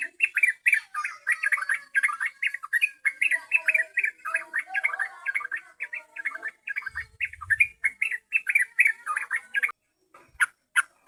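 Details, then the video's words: Yellow-vented bulbul song used as a lure for catching birds: fast, chattering runs of bubbly chirps, tightly repeated throughout, with a few softer lower warbled notes beneath and a brief low thump near the middle. "Pancingan burung trucukan paling jitu"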